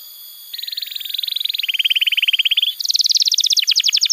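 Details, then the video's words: Canary song for tutoring young canaries: after a quiet start, even pulsed trills step down in pitch over two seconds, then jump higher into a brisk rolling trill. "Pancingan Suara Kenari Gacor‼️ Ampuh untuk Masteran Kenari Muda dan Terapi Kenari Macet Bunyi"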